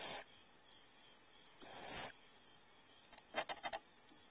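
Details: Barn owls at a nest cavity at Starr Ranch, California, as the adult male brings prey: two harsh, breathy hissing bursts about 1.5 seconds apart, then four or five quick rasping notes near the end.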